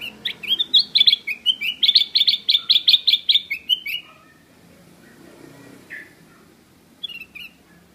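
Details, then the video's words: Loud song of a black-crested bulbul, a fast series of about fifteen sharp, high, chipping notes over four seconds. Silence follows, broken by a brief soft note and then a short two-note chirp near the end. "Black Crested Bulbul is calling loudly - Bulbul song"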